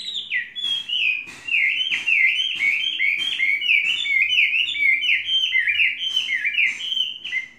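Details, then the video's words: Chinese hwamei, a trained bird of three seasons, pouring out an unbroken stream of rapid, bright whistled notes that rise and fall in quick loops, punctuated by crisp ticks. "Hoa mi hót cực hay"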